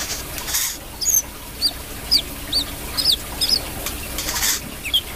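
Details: Brown-throated sunbird in full song: scattered high, thin whistled notes, some doubled into quick pairs, irregularly spaced about once or twice a second, amid hissy background noise and low hum.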